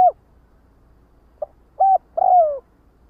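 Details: Spotted dove calling its flock: a few soft, low coos, one short clipped note, then a longer falling coo closing the phrase, with a quiet background.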